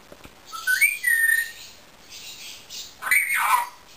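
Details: Pet Indian ringneck parakeet whistling: a short rising whistle, then a clear slurred note, a pause, and another rising-then-falling whistle near the end, with faint hiss behind.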